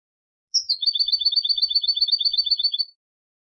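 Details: Turkish goldfinch in Istanbul delivering a high opening note followed by a long, even trill of alternating paired notes, steady in pitch for over two seconds.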